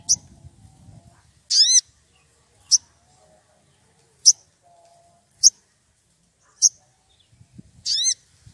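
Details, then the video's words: Excited wild woodpecker calling out a rival: sharp, very high single and double notes repeated roughly once a second, some with a ringing downward sweep, over a faint background rustle. "Sogon emosi cari lawan"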